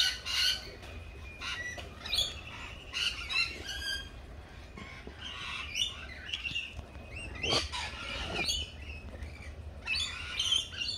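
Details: Lorikeets at a feeding spot, giving harsh, screechy squawks and shrill chattering bursts, many overlapping calls in quick succession with a loud grating squawk near the eighth second; low rumble of background noise underneath.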